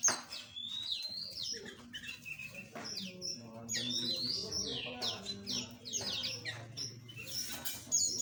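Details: Small aviary birds twittering continuously, with overlapping high whistled slides and clipped chirps over a soft murmur of lower background sound.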